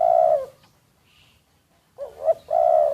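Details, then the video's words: Secretly recorded decoy spotted dove: a sustained low coo ends, followed by a short pause. Then a new phrase starts with two quick notes and moves into another long, even coo. "แอบอัดเสียงนกเขาใหญ่ นกต่อ"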